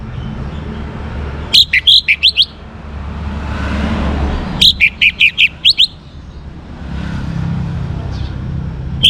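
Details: Young orange-headed thrush in lively song meant to coax other birds into singing. Two quick bursts of about six sharp, high, scratchy notes each, separated by a few seconds of quiet with low rumbling background.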